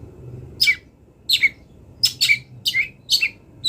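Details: Long-tailed shrike, wild bird, singing: short squeaky downslurred notes, each falling in pitch, repeated about every half second with quiet gaps.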